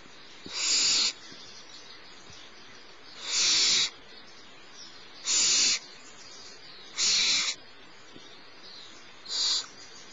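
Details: Littlest barn owl owlet begging while its mother feeds it at Starr Ranch, about 10:30 in the morning; five harsh, screechy hisses, each roughly half a second long, spaced two to three seconds apart, over faint background hum.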